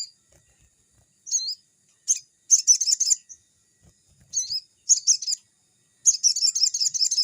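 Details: Crimson sunbird singing to train young birds; brief twisting high notes alternate with dense, fast buzzy trills, the phrases growing longer and ending in a sustained rapid chatter.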